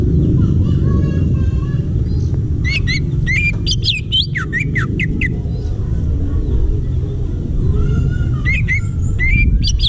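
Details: Wild greater green leafbird in forest: a lively two-second flurry of varied upswept and downswept whistles, then softer notes and a short closing burst, over a steady deep rumbling noise.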